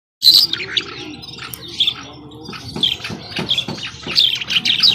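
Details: Skylark, called Afghani jhal, singing: scattered high chirps and short twittering notes, some louder bursts near the end, over a low steady hum.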